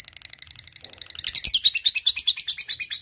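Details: Lovebird ngekek trill for prompting lazy lovebirds to sing: soft rapid ticking that builds into loud, even, closely spaced shrill chattering pulses.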